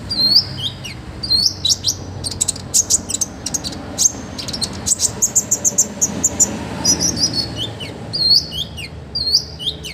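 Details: Olive-backed sunbird master song, rich and complete: repeated high, hooked, downslurred notes with buzzy chip series in between, delivered briskly over a low background hum.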